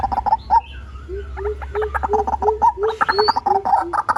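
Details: Lure recording of a white-breasted waterhen: quick, clipped mid-pitched notes mixed with a lower series of short hollow hoots repeated about every quarter second, plus faint high bird whistles.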